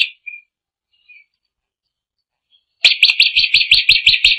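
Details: Drongo singing persistently: two or three soft short notes, a pause, then a loud, rapid, harsh chatter of about a dozen repeated high notes.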